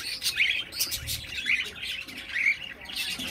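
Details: Baby cockatiel calling with raspy, high chirps and squawks in quick irregular bursts, about one per second, broad noisy sound between short tonal squeaks.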